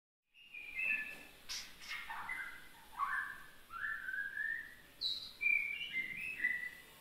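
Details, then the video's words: Young oriental magpie-robin beginning to sing: a halting series of clear whistled notes, some slurred downward and some rising, spaced irregularly over several seconds, with a soft background hiss. "anakan burung murai yang mulai bunyi"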